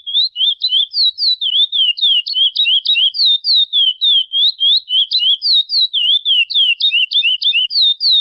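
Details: A Chestnut-bellied seed finch sings free in the wild: a long, unbroken run of clear, high whistled notes, slurring up and down at about three per second, with no other sounds.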